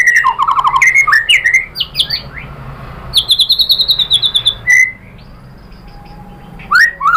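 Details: White-rumped shama song used as a lure to provoke response: quick varied whistles and chips, a run of evenly repeated high notes, then a quiet stretch before a final phrase.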